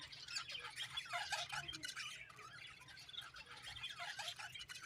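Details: Budgies keep up a continuous, quiet jumble of twittering chirps and rasping chatter, several birds overlapping, with a low background hum.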